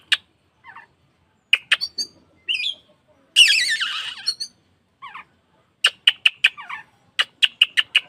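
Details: Oriental magpie-robin tail-opening lure for caged birds: scattered whistled and squeaky notes, a loud one-second harsh buzzy warble, then rapid trains of sharp ticking chips.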